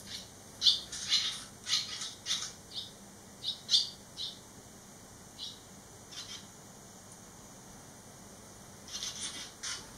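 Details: Three barn swallow fledglings eleven days out of the nest, back at the nest site; a burst of quick high twittering chirps in the first four seconds, scattered notes after, then a short chatter at the end.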